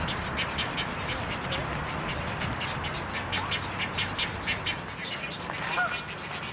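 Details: Dense chorus of juvenile egrets near fledging at a breeding rookery in Pennsylvania trees, harsh croaking and clucking calls overlapping without pause, with a quiet human voice in the background.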